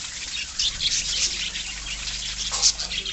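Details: Short burst of budgerigar colony noise: thick, high warbled chirping from many birds, with one sharp squeak near the end.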